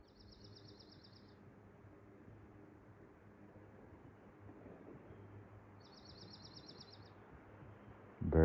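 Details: Dark-eyed Junco song in April near Bingham Falls, Stowe, Vermont: two quick, even, high trills about five seconds apart, over steady rushing water, with a loud thump at the end.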